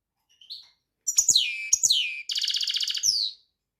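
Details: European goldfinch singing a varied phrase: a soft rising note, two descending swept notes, then a dense buzzy trill and a final downslurred note.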